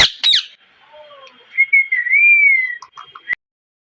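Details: Rose-ringed parakeet calling: a couple of sharp, harsh high notes open, then a long, clear whistled tone that wavers gently up and down for over a second, ending with a few short soft notes.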